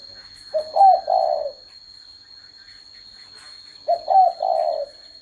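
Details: Two cooing phrases from a spotted dove, roughly three seconds apart. Each is a soft, low stutter of two brief notes that ends in a drawn-out, slightly descending coo, over a faint continuous high whine.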